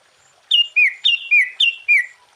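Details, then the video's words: Sooty-headed bulbul in lively song to provoke other bulbuls. Three quick pairs of mellow, whistled notes, each a higher note followed by a lower slurred one, sound clearly against a quiet background. "Suara Burung Kutilang Gacor KUTILANG FULL ISIAN Ampuh untuk menaikkan Mental EMOSI Kutilang Lain."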